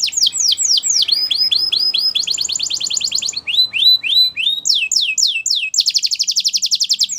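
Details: Belgian canary singing for training, bright sweeping whistles repeated in quick series alternating with fast rattling trills, sung loudly without pause.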